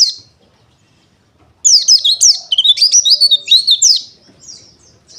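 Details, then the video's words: Bursts of high, rapid twittering from a white-eye, with slurred, sweeping notes tumbling together for about two and a half seconds between quiet gaps. "KICAU PLECI DAKUN WILIS"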